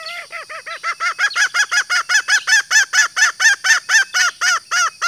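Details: Green junglefowl hen giving its call to attract males: a long, unbroken string of loud, short, arched cackling notes, evenly spaced at roughly three per second, steady in strength throughout.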